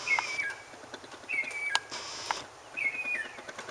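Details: Mockingbird singing while looking for a mate: a slurred whistled phrase near the same pitch, given three times about 1.3 seconds apart, with faint clicks and light background hiss.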